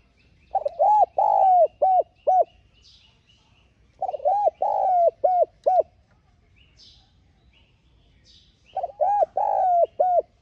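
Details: Decoy spotted dove cooing to attract wild doves, three full phrases about every four seconds, each with a long drawn coo and short arched notes, while faint high chirps of other small birds sound between.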